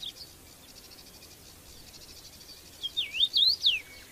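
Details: A red-headed bird in the wild gives a high, thin, twisting whistled phrase of rising and falling notes near the end, over a steady insect-like hiss.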